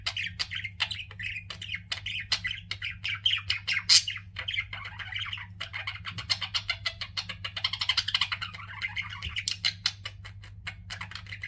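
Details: Pet budgies keep up a long, continuous warbling chatter indoors, mixing scratchy twitters, clicks and higher squeaks, several birds overlapping, with a faint steady hum in the background.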